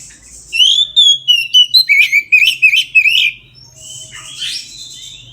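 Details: Full midday 'ngeplong' song of an Oriental magpie-robin, used to get other magpie-robins singing: a rapid burst of around a dozen clear whistled notes, rising and falling, followed by softer scratchy warbling.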